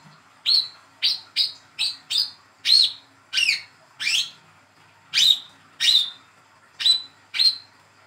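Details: Rapid series of about a dozen sharp, slightly whistled chip calls, some in quick runs, from a young speckled hand-reared olive-backed sunbird, used as a lure to get silent sunbirds singing.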